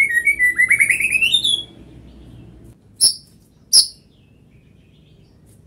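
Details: White-rumped shama singing: a run of whistled notes climbing steadily in pitch for about a second and a half, then a pause and two sharp, high chips roughly a second apart, over a faint low hum.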